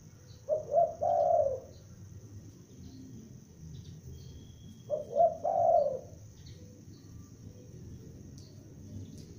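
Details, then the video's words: Young spotted dove calling as a lure bird: two separate three-note coo phrases roughly five seconds apart, soft opening notes leading into a fuller drawn coo, quiet gaps between. "Tekukur Pikat gacor anakan Berbunyi Memanggil"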